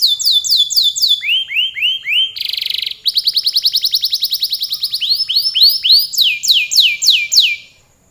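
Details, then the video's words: Canary in full long song: series of loud falling whistled slurs, a brief harsh buzzy burst, then a fast rattling trill and more rolling down-swept phrases before the singing stops. "Suara burung kenari gacor kicau panjang"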